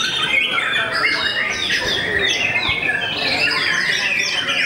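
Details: White-rumped shama with a famously rival-cowing song delivers a dense mix of slurred whistles, rapid twitters and rising sweeps, sung loudly and without pause.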